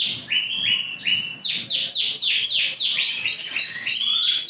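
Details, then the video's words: Big-sized Yorkshire canary, ring 20, singing energetically on 28 January 2021. Slower repeated whistled downslurs speed up into a run of loud falling notes, then a quick rolling trill. "yorkshire tkf ring 20 super || gacor big size"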